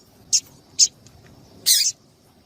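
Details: A female double-collared seedeater calls to excite the male: two quick, high, clipped chirps followed by a longer, buzzier, harsh burst within about two seconds.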